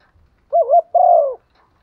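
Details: Single coo phrase from a decoy spotted dove used to provoke others: a low wavering two-part note rising and falling, then a longer steady coo sliding downward at the close.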